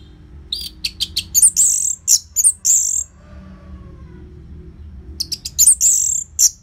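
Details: Loud Orange-headed thrush song from Bali meant to stir caged birds into singing: fast clicking and sharp ticking notes build into shrill high squeaky phrases, a quiet pause of about two seconds, then the burst returns.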